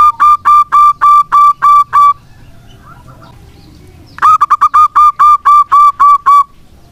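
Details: A local zebra dove sings as a lure for doves that have stopped calling: eight evenly spaced resonant coos, a two-second hush, then a quicker run of about ten staccato notes.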